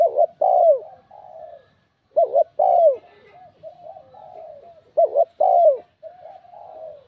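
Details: A spotted dove gives a bell-like, stimulating coo in a repeated phrase: two or three loud, mellow, falling notes followed by softer trailing coos, the pattern recurring about every three seconds.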